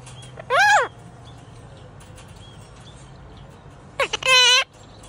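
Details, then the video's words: A red-shouldered macaw (Hahn's macaw, mini macaw) gives two loud, harsh, rasping squawks about three seconds apart, the second longer and flatter, over a faint low indoor hum. "Mini Macaw Sounds"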